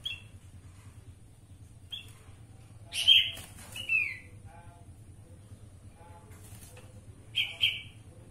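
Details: Black-winged bulbul. A few short, bright, whistled phrases are sung sparsely: a brief note near the start, then two loud slurred phrases around the middle and another near the end. A low steady hum runs underneath.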